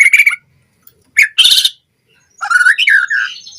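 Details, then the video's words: White-rumped shama in a lure recording for captive birds: a short twittering burst, a harsh scratchy note, then a flowing phrase of whistled slurs trailing into a thin high tone. "Pancingan Murai Batu Cepat BONGKAR ISIAN Buat Masteran Suara Burung Murai Agar Gacor Full Isian"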